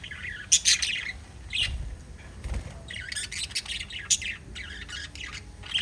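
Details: Pet budgerigars, a group of five, chattering in quick bursts of scratchy, high chirps and squawks, with short pauses between flurries and a faint low rumble underneath.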